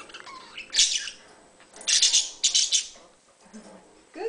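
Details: Pet budgerigars chattering: harsh, scratchy high chirps in bursts with short gaps, some softer warbled notes near the end.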